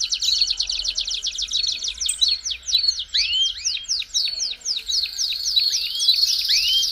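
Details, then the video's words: Song of a Belgian canary for warming up a canary: a fast trill, then repeated sharp downslurred notes mixed with rising whistles, ending in a steady buzzy tone. "CANTO PARA ESQUENTAR CANÁRIO BELGA RÁPIDO"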